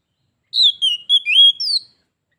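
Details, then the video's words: Singing duel between a pet Oriental magpie-robin and a wild bird of its kind, later becoming a fight. A brief run of sweet slurred whistles, falling then rising, in a clean quiet setting. "Kacer _adu suara sampai jadi bertarung/fight Cok"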